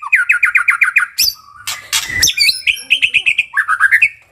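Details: White-rumped shama, known locally as murai, singing a varied song: a rapid run of repeated rising whistled notes, a burst of harsh buzzy sound in the middle, then more clear repeated whistles and a falling trill.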